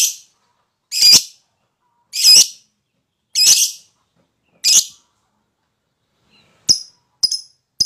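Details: Lovebird recording meant to lure other lovebirds into ngekek chattering. Loud harsh squawks repeat roughly every 1.2 seconds, then sharp, short high chips close the sequence.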